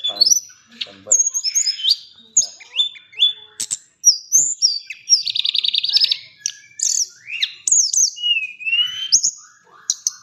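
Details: High, fast chattering from a tame white-flanked sunbird singing its full repertoire: short upslurred and downslurred whistles, a dense buzzy rattle midway, and scattered sharp ticks.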